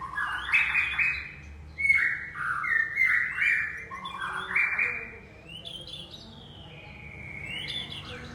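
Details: Young forest-caught murai aceh, a white-rumped shama, sings a varied sequence of mid-pitched whistled phrases, some slurred downward, followed by quieter high rising whistles.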